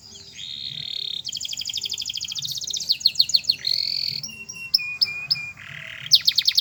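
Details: Canary song, a rapid varied run of trills, buzzy rolls and high whistled notes switching every second or so, with a steady low hum and faint regular thumps behind.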